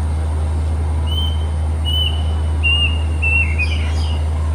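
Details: In Hong Kong woodland on 1 May 2025, a summer-visiting Plaintive cuckoo gives a series of plaintive whistles that step downward and speed up, ending against brief chirps of another bird, all over a low droning hum.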